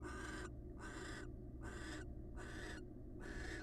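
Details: Wild barn owls in a pair-bonding exchange: harsh, breathy hissing screeches, each about half a second long, repeated five times in quick succession over a steady low hum.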